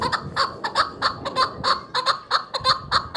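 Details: Chukar partridge calling for hunters: short harsh chuck notes, some paired, spaced irregularly under a second apart, with faint low background noise.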